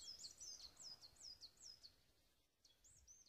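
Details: Great tit singing in February 2014 in Swedish countryside at the end of winter, sunny, amid tree felling; high, ringing two-note phrases, each sliding down, repeated about twice a second over a faint outdoor hiss.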